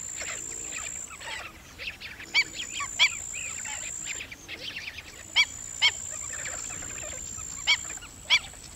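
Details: Black-winged stilt giving sharp, yelping notes, singly and in quick pairs, scattered irregularly through the clip, with a steady high-pitched whine running behind.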